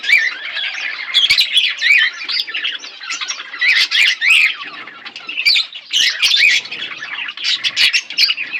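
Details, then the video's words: Two budgerigars kept as a pair chatter steadily, mixing scratchy squawks with quick rising and falling whistled notes in bursts separated by short pauses. "My beautiful budgies parrot pair 💙💛Budgies chirping sounds"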